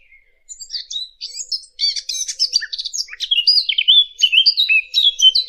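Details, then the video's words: Lure recording of a fig bird singing: after a faint opening note, a loud rapid burst of scratchy chirps and twitters flows into a sweeter, continuous warbling of sliding high whistles. "Fig bird. Fig bird sound. For hunting# عصفور التين للصيد"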